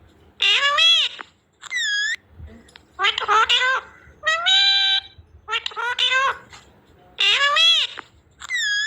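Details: Pet baby parrot talking: repeated harmonic, voice-like syllables sounding like "mami", alternating with brief high whistled notes, uneven rhythm roughly every second or two; quiet room with faint low rumble.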